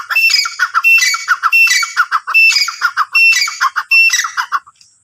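A francolin gives loud, harsh, rhythmic calls in quick bursts, several notes a second with short pauses between phrases, high and grating.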